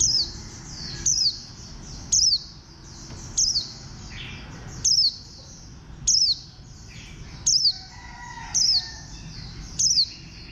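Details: A bantam-shaped khuyên xanh (green white-eye), bird 04, sings a rapid series of high falling twitters, about nine bursts in ten seconds, with a continuous wash of softer background chirps.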